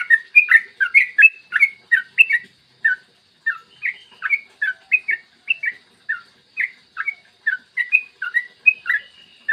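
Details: Yellow-vented bulbul in long, rapid 'ropel' song, clear morning voice, used as a lure to stimulate other bulbuls to sing: a continuous stream of short bubbly, warbled notes, many each second, with brief pauses.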